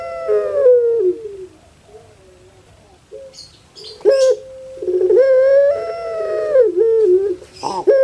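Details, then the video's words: Caged puter pelung dove from Indonesia: a falling coo, a quiet gap with soft faint notes and a rustle, then a rattling start swelling into a long sustained wail. "KAGET PARAH DENGAR SUARA BURUNG INI SEPERTI ANAK MENANGIS"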